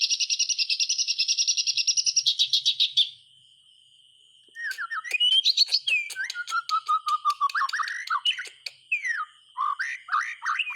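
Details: White-rumped shama song to prompt silent shamas to sing: a fast buzzy trill, a pause, then varied clear whistles, rising and falling slurs and quick chattering notes over a faint steady tone.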